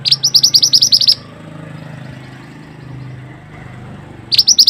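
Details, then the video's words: Mantenan (pied bushchat) on a masteran training recording: a fast burst of high, chattering notes, a quiet stretch of about three seconds with low hum, then the burst begins again. "suara burung mantenan super unik"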